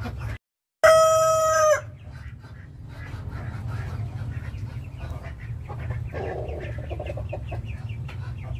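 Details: Rooster crowing once: a loud, harmonic cock-a-doodle-doo lasting about a second after a brief silence, followed by soft clucking, other distant fowl and a steady low rumble.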